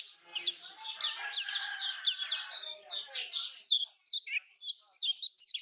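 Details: Lombok-style song of the lemon-bellied white-eye, played so quiet caged birds answer. Scattered sharp, high chirps and slurs over low background murmuring, becoming more clipped and separated toward the end.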